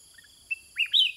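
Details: Sooty-headed bulbul in a cage replying to wild birds: faint low chirps, a sharp click, then a rich two-note warble rising and falling, the second note loudest, over a faint high hum.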